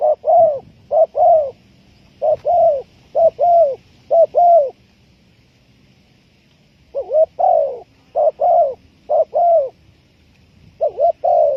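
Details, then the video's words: Spotted dove cooing, used as a lure for bird trapping: groups of low, mellow double-noted coos, short pairs followed by longer ones, repeated in phrases of several notes with a pause of about two seconds midway. "Sound Of Spotted Dove is so good"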